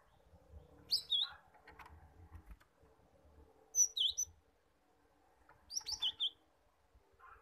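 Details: Cinereous tit (gelatik batu) song, used as a lure so untrained caged birds start singing and trilling: three bursts of high, sharp whistled notes with dipping V-shaped phrases, spaced about two to three seconds apart, with faint low rumble beneath.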